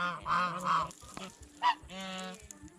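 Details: Geese feeding on bread and fresh vegetables at a fish pond utter short honks in a pair, then a brief higher note and a longer honk, with quiet between.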